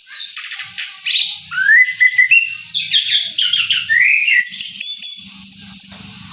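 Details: Rolling song of an Orange-headed thrush following its moult: mixed high twitters and clear rising whistles, phrases separated by brief pauses, with a faint low hum behind.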